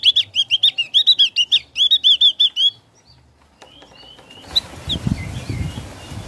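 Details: A Javan grey-throated white-eye sings ngeplong, a long, fast string of about twenty loud, high, looping whistled notes, briefly broken by a pause. Rustling and background noise follow the phrase.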